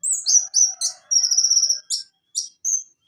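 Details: Konin (Van Hasselt's sunbird) tutor song for a bird that has stopped singing: quick high downslurred notes lead into a long, steady, buzzy trill, followed by three sharp separate chips.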